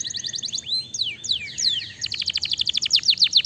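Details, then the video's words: Canary song meant to provoke other canaries to answer: fast series of high descending sweeps and rapid trills, alternating quick repeated notes with steeper swooping phrases. "Kenari Fighter Pasti nyaut dengar suara kenari ini"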